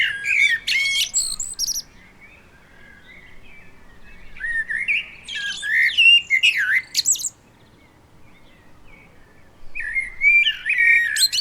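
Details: Wild common blackbird giving rich fluting song phrases with high twittered endings, three long bursts separated by brief silences, background otherwise quiet.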